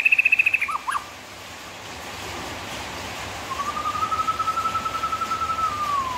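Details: Murai batu song opening with a fast high trill and a couple of lower notes, then a pause, then one long, level, smoothly held whistle that falls away at the end.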